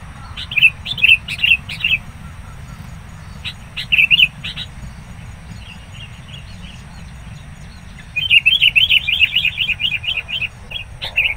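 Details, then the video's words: Wild sooty-headed bulbul at a bird-trapping site, agitated and persistent as a rival approaches; bursts of rapid, sharp chirped notes come in several runs separated by pauses, the last run a long fast chatter, over a faint low background hum. "PIKAT KUTILANG NGAMUK NGOTOT SAAT DIDATANGI LAWAN"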